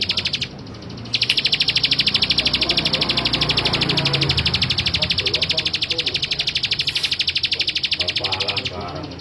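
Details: Male bar-winged prinia singing: a long, fast, even series of sharp, high ticking notes, about ten a second, running for over seven seconds after a brief opening burst, with faint low background murmur.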